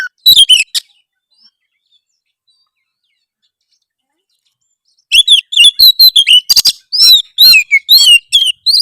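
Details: Oriental magpie-robin delivering harsh song to provoke rivals; a brief scratchy opening, several seconds of quiet, then a sustained stream of loud whistled slurs and rasps repeated about twice a second.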